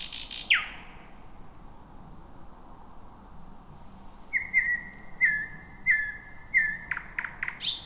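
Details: Wild thrush nightingale singing just before midnight in dense, jungle-like bushes, the first of the year after eight silent nights; a sharp downslurred note, then high thin whistles and a run of loud repeated chock-like notes near two per second.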